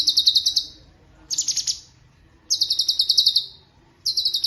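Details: Cucak cungkok giving fast trilled rolls of high, sharp notes, with one burst harsher and more sweeping, and pauses of about half a second between phrases.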